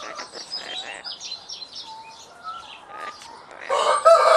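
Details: Captive Citron-crested cockatoo on a poultry farm, being coaxed to talk, giving soft whistles and chatter that build to a loud, harsh, raspy screech near the end; a person speaks briefly in the background.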